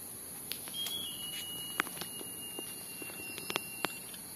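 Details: Great jacamar at Canopy Camp, Darién, giving one long, thin, high whistle held for about three seconds and sagging slightly in pitch, over steady insect hiss and scattered sharp ticks.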